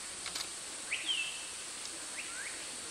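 Dusky Broadbill giving a few thin, high whistled notes, one slurring downward and two short rising squeaks, over a steady background hiss.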